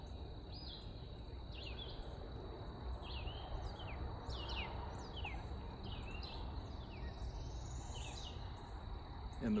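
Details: Red-eyed vireo singing constantly in spring, 18 April 2020, in riparian canopy by the Colorado River, Texas: short, slurred whistled phrases about every second, over a steady high insect-like tone, low rumble and a brief rising buzzy call.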